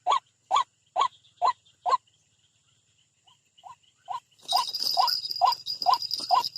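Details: A white-breasted waterhen attacking a rival near a bird trap gives five loud croaks, pauses, then calls again more faintly before resuming over a sudden loud, high hissing noise.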